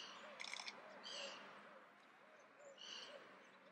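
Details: Adult Icelandic Redwing (Turdus iliacus coburni) in Leiden, Netherlands, 15 December 2015, softly singing three short bursts of high, scratchy twittering about a second apart, with low murmuring, possibly distant voices, underneath.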